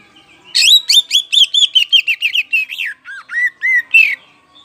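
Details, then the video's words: Kacer poci oriental magpie-robin in full loud song, used as a lure to make other birds sing out their repertoire: a fast burst of over a dozen sharp slurred notes, then lower swooping whistles. "Pancingan Kacer Poci Ngeplong Bikin Bongkar Isian"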